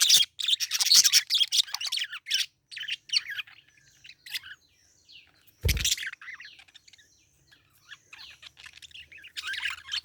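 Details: Parakeet chirping in dense bursts of high, scratchy tweets and chatter, with short pauses, one sharp clicking thump near the middle, then more rapid twittering toward the end.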